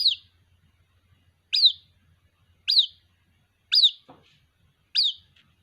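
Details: White-breasted waterhen chick calling for its mother: sharp high peeps that leap up then slide down, five of them about a second apart, with one soft low knock between calls.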